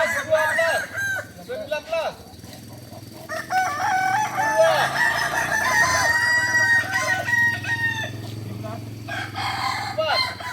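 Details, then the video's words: Kokok Balenggek roosters crowing together at a joint practice in Solok. Long crows break into many short stepped syllables and overlap continuously, with a low hum underneath. "ayam kukuak balenggek"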